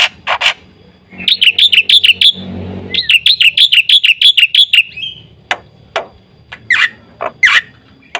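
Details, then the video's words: Singing white starling, recorded as a lure for other birds; harsh opening notes, two rapid runs of bright chirps, then scattered harsh calls. "suara burung jalak putih gacor full isian"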